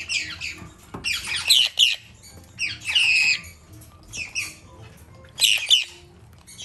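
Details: Four hand-fed red-capped parrot chicks at a pet shop, eager eaters fed three times a day; harsh, raspy squawking bursts in clusters about every second or two, with low indoor hum beneath.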